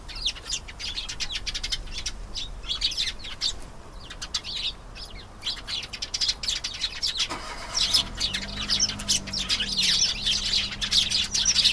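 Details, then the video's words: Canary singing a dense, rapid warble of high chirps and trills in quick bursts, with a low engine rumble joining partway through. "canary singing. beautiful canary sounds"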